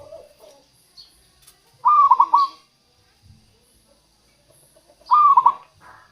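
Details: Two clear phrases from a local zebra dove, each a rapid series of hooting coo notes breaking into a trill, roughly three seconds apart; used as lure and prompt for wild and reluctant doves.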